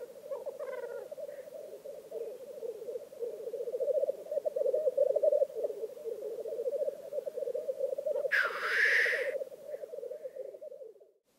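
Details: Black grouse lek in Vinje, Telemark, Norway: a long, continuous, throbbing, bubbling coo swells and ebbs, then one loud rasping hiss bursts out before the chorus fades away.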